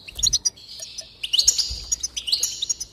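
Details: Goldfinch song for encouraging singing: rapid bright twittered phrases with sparkling high notes, two bursts split by a short lull.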